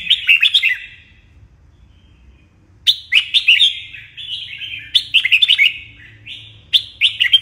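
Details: Morning training song of a red-whiskered bulbul, meant to spur competition singing: quick clusters of liquid, rolling whistles, a two-second pause, then several more phrases linked by smoother drawn notes; soft low hum beneath.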